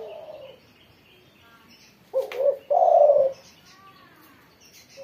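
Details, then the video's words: Spotted dove from Indonesia singing vigorously after its morning sunning. A short low coo is followed by a longer, rolling, husky coo phrase in the middle of the recording. Faint high chirps from other small birds sound in the background. "burung tekukur derkuku gacor setelah jemur pagi"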